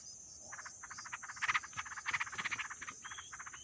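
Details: Hungry wild yellow-vented bulbul nestlings two days after hatching beg with rapid, rasping pulsed chatters in uneven bursts, loudest in the middle, over a steady high-pitched insect whine.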